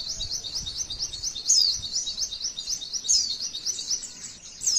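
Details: A female white-eye pours out a fast, sibilant rolling song in long 'tembakan' bursts. Steady high chattering notes carry piercing descending whistles about every one and a half seconds. Faint low background rumble.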